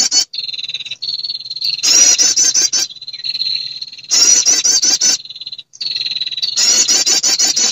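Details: Female prinia calling males, a sound used as a lure that draws prinias and other birds: bursts of rapid, high, buzzy trilled notes alternate with a steady thin high tone, the pattern recurring several times.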